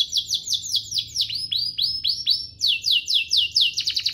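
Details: Energetic canary song for coaching young canaries and prompting them to sing: a steady stream of quick downslurred chirps repeated several times per second, with deeper swooping notes in the middle.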